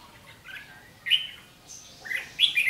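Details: Red-whiskered bulbul challenging a decoy bird at a fighting trap, 7 July 2016: a few sharp, warbled, rising notes in brief bursts of ché fighting song against a quiet background.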